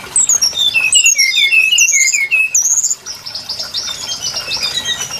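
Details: Brown-chested jungle flycatcher lure for trapping: a cascade of clear, stepped down-slurred whistles lasting three seconds, followed by a softer, distant-sounding stretch of high notes.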